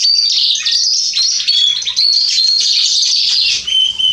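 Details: Male Atlantic canary in song, 27 October 2020: an unbroken stream of fast, high-pitched warbling and rolling trills with bright whistled slurs, ending on a few clear piping notes, over a faint low hum.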